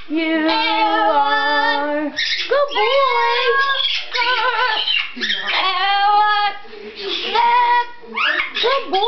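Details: Blue-fronted amazon kept as a pet, singing in a room when prompted, with a long held note followed by bursts of sliding, warbling, harmonic phrases and short breaks between them.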